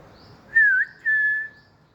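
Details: Playing with toys, a green pet Alexandrine parakeet whistles twice: a brief note that bends down and back up, then a sustained steady tone lasting half a second, in an otherwise quiet room.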